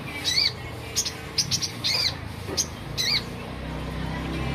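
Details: Olive-backed sunbird singing: bright, high arched chirps, each a quick rising-then-falling note, repeated roughly once a second with brief clicks between, and a low rumble behind.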